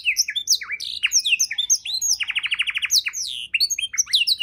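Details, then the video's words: Tutor song of a canary for teaching songbirds, dense chirps and swooping whistles with a short rapid trill of about ten notes in the middle. "kenari isian mewah‼️sangat cocok untuk masteran burung abda‼️❗"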